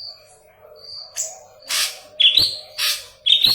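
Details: Yellow-headed leafbird singing intensely for Cucak Ijo training: soft high whistles, then three loud buzzy bursts with sharp twittering notes between them, roughly every half second.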